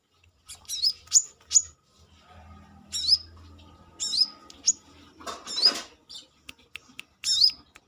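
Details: Brown-throated sunbird out of its cage giving high, sharp rising chirps in uneven groups, mixed with clicks and a short rustling burst.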